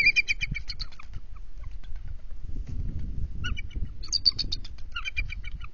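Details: On an NCTC bald eagle nest, 21 February 2023, a female landing at 12:35 am startles her incubating mate; quick high chittering series open and close the clip, with quieter notes and rustling between.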